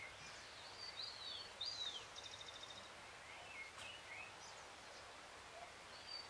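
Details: Great thrush (Turdus fuscater) singing faintly at 6:26 PM on 13 June 2022, a full moon night: a few thin, high whistled and slurred phrases in the first two seconds, then softer notes, over a steady rustling hiss.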